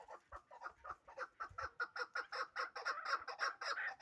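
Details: Hybrid fighting chukar partridge giving a steady series of sharp, clucking chuck notes, about four per second, rising in strength through the four seconds, with little background noise.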